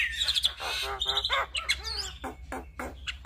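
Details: Vigorous Javan myna song used to train and provoke other starlings: a busy chatter of scratchy notes, short high whistles and rising slurred phrases delivered in irregular bursts, with a faint low hum underneath.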